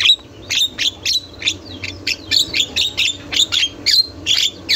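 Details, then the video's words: Javan myna in a master tutor recording of continuous song said to make other mynas answer: a fast run of harsh, chattering bursts with squeaky whistled notes, about fourteen phrases in under five seconds, over faint low background hum. "Masteran JALAK KEBO GACOR | ga berhenti bunyi, jalak lain pasti nyaut"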